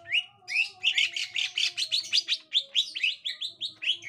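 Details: A gotri green leafbird reacting on meeting a young wild green leafbird gives a fast, lively run of bright upslurred chirps, about four a second, high-pitched and rich, over a steady low hum.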